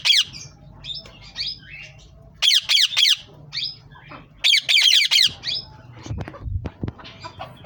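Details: Pet green rose-ringed parakeets (Psittacula krameri) give loud, harsh, high squawks in rapid bursts of three or four, with quieter chattering notes between and a faint low hum beneath.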